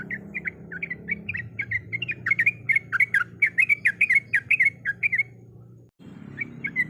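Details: Female sooty-headed bulbul in breeding condition calling the male: brisk series of short, buzzy chirps that grow louder and denser mid-way, then a brief silent break before the chirping resumes, over a soft low background hum.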